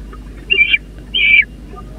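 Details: Busy peregrine falcon chicks at their nest on the Catharinakerk, 30 April 2021. Two harsh, high-pitched rasping squeals come about half a second apart over a constant low background hum.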